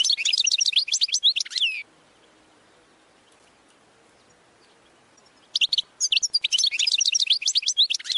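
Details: Goldfinch training song: rapid, high twittering bursts of varied chirps and trills, a phrase of about two seconds, then a pause of near silence, then another long twittering run.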